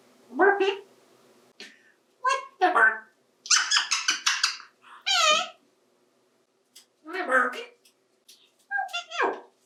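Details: An adopted 28-year-old male African Grey parrot talks and plays with bathtub toys indoors. It gives a jumble of speech-like syllables, squeaks and a few higher chirpy bursts, spaced irregularly over several seconds.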